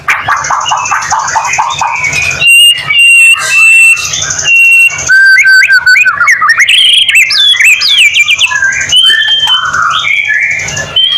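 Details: White-rumped shama singing as a lure for other shamas to respond; opens with a rapid stuttering series, then clear pure whistles, sharp upward slurs and fluty phrases broken by brief pauses, over a faint hum.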